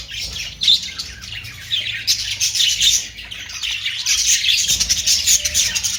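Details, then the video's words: Loud, dense budgerigar chatter of high twittering and squeaky warbles, with a short lull before the calling picks up again. "Austrailian perrot sound"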